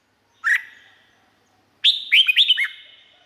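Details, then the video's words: Thai red-whiskered bulbul song, for training or exciting birds: a single clear upswept whistle, a pause, then a rapid lilting phrase of about five bubbly, looping notes with a light ringing tail. "เสียงนกกรงหัวจุก สำหรับต่อ หรือ เปิดให้นกคึก เสียงเพราะๆ"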